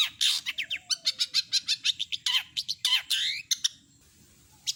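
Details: Long-tailed shrike in lively mimicry song: a rapid run of crisp chirps and downslurred whistles that ends abruptly. Near-silence follows, with one last faint note.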